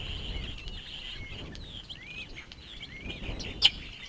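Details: Mother bald eagle feeding two chicks at a Santa Cruz Island nest watched by a live camera; thin high chirps and short upslurred notes repeat over steady hiss, ending with one sharp click.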